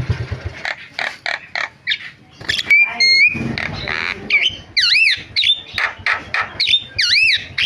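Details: Starling lure calls meant to make stalled starlings start calling: short harsh bursts, a couple of clear whistles, then repeated looping up-and-down whistled notes interleaved with rasping squawks.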